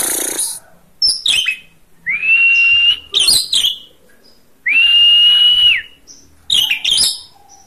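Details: Oriental magpie-robin singing as a training recording for other birds: long, clear whistles that rise and then hold level, mixed with quick scratchy bursts and sharp chipping notes in rapid bursts.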